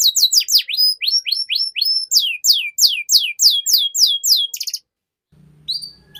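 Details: Young canaries are trained with this long canary master song: a fast series of crisp downward-sweeping notes, a few rising notes, then a brief buzz before the song stops and a faint low hum remains.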